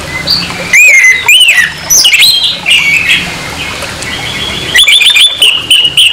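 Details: Harsh song of an orange-headed thrush, played to provoke another of its species. Loud looping whistles and sharp slurred notes come in bursts, ending with a rapid scratchy chatter, over a steady low hum.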